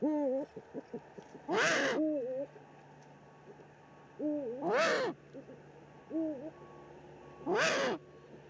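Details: Eurasian eagle-owl pair at an Eifel nest on 13 March 2019 during a food drop by the male: soft double-toned wavering calls interleaved with three loud rasping hisses spaced about three seconds apart.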